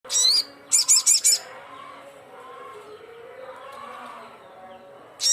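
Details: Sogon (crimson sunbird) calling loudly to rivals: two bursts of very high, sharp chattering notes, a four-note stuttering series, then quieter low tonal humming before another high burst at the end.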